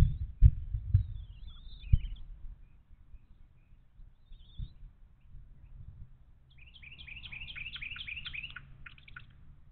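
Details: Bald eagles feeding young at a Little Miami Conservancy nest on 29 March 2023; a few faint high squeaks and low knocks, then a loud burst of quick, stuttering, high-pitched chittering notes near the end.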